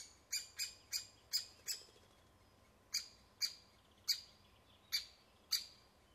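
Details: Woodpecker calling at its nest: sharp, high, clicking notes given singly at uneven intervals of roughly half a second to a second, in a quiet setting.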